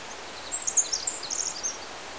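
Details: A 'Pacific' Winter Wren sings at Lewis Creek, Sierra National Forest, California: a fast, very high tumble of tinkling notes and trills over a steady rushing hiss like running water.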